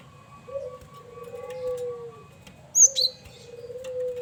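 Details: A dove's long low cooing fills the background until a male cinereous tit, singing as a lure, cuts in with a sharp pair of high, ringing whistled notes.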